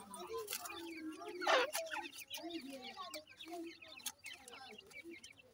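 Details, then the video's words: Little grey francolin chicks peep continuously while feeding: dense, quick, high chirps tumbling over one another, with one louder burst early and steady soft twittering throughout. "gray francolin little chicks feeding,teter chicks awaz"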